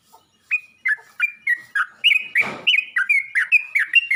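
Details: Yellow-vented bulbul calling to other bulbuls, giving evenly spaced liquid chirps about twice a second, each a short slurred whistle; one brief broad thump or knock cuts in midway.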